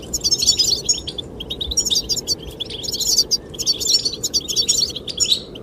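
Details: Goldfinches singing to attract the female: bursts of rapid, high, twittering notes with liquid trills, in clusters about a second apart, over a steady rushing wind.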